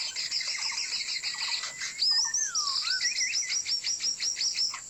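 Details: White-rumped shama song played as a lure for trapping birds: high whistled phrases, a long descending slur, then rapid repeated bright notes, over a steady high-pitched whine.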